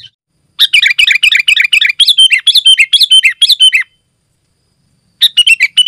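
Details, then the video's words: Sooty-headed bulbul singing densely, a sound meant to draw other bulbuls and train kept birds: fast run of sharp chirps, then warbled, dipping notes, a pause, and a further burst of quick chirps near the end. "Suara Burung Kutilang Gacor Rapat Menekan Lawan"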